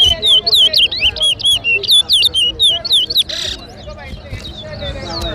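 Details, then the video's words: Chestnut-bellied seed finch (towa towa) singing at a bird-whistling competition in Lusignan, Guyana, 2023: rapid, sweet whistled warbling of rising and falling slurred notes, about two per second, then a brief noisy burst and softer continuing phrases. "TOWA TOWA BIRD WHISTLING COMPETITION AT LUSIGNAN"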